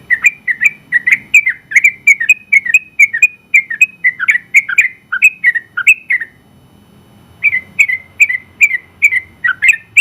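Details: Prize-winning sooty-headed bulbul singing a long 'ropel' sequence: over twenty rapid, bubbly, slightly slurred chirps in an unbroken six-second run, a brief gap, then another fast string of similar twisting notes over a soft low hum.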